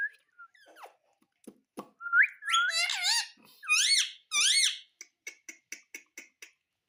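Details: Pet parrot indoors, giving soft whistles, then two loud harsh arching squawks rich in overtones, followed by a run of short sharp clicking notes about every quarter second.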